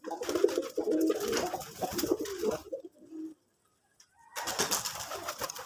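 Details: Native putul golla pigeons coo in a low, rolling series of murmurs over rustling and clatter, fall briefly silent, then a burst of broadband noise returns.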